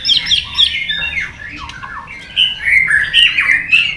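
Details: White-rumped shama stimulated into competition singing: fast scratchy warbles and high chips, easing into a quieter pause before bright, wavering whistles resume.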